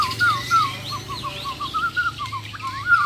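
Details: Champion Bornean white-rumped shama from Muara Wahau singing low, mellow looping whistles repeated in quick succession, with fainter higher notes and a low hum behind.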